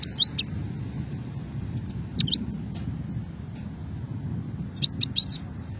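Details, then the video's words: European goldfinch (moknin) from the Hammam Guergour area of Sétif, Algeria, recorded in 2020 singing the old "shetla" style: short bright twittering notes in three separate bursts, with a soft low hum underneath. "مقنين شتلة قديمة"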